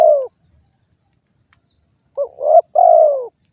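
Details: Spotted dove: the end of a falling coo, a silence, then a two-part phrase of a quavering rising note and a long, gently descending coo.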